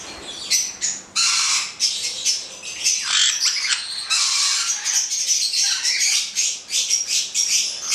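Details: A pair of black-headed caiques screeching loudly, with long harsh squawks and sharp high notes in a nearly continuous noisy stream.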